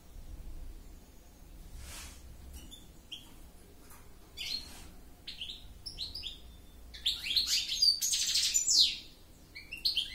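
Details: Goldfinch with scattered single chirps and short whistles at first, building into a dense burst of buzzy, twittering song near the end.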